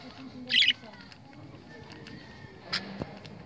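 A budgerigar gives a brief, scratchy high chirp, then another short chirp, over a faint room hum.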